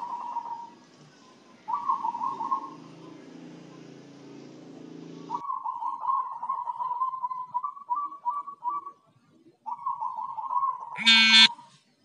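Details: Zebra dove said to sing diligently and stay healthy since getting a herbal spice feed mix; a series of rolling, stuttered coo phrases with brief pauses, low hum early on, and a short sharp noise near the end.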